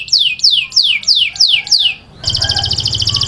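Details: Taghreed-style canary song meant for training chicks: a run of loud, high whistled notes each sweeping steeply downward, about two per second, then a dense buzzy rolling trill over a low hum.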